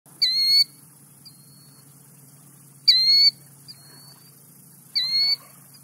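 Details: Killdeer (Charadrius vociferus) giving its "kill-deer" call: piercing, high, slightly rising cries about every two seconds, with fainter shorter notes between them over a low steady hum.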